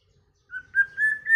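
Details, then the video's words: White-rumped shama singing early in the season: a sequence of pure whistled notes, slowly rising and getting louder, ending abruptly. "chòe lửa hót,chòe lửa chuyền mùa đầu"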